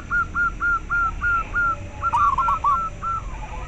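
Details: Local zebra dove voice used to encourage breeding drive and singing in caged doves, and for luring. A string of short, clear whistled coos repeats evenly, then a faster jumbled burst follows over background hiss.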